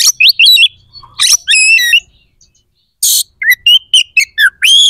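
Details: White-rumped shama song meant to stir aggression and breeding drive in other shamas: loud varied phrases of whistles, slurred notes and harsh bursts, with short pauses between bursts.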